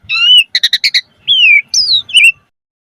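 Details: Asian pied starling singing 'mompa' variations, used as a starling lure: a rising-falling whistle, four rapid harsh rattling notes, then two long slurred whistles, one dropping and one falling from high pitch.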